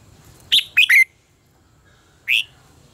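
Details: Red-whiskered bulbul in contest singing for training birds: a quick three-note whistled phrase falling in pitch, then a pause and a single rising chirp.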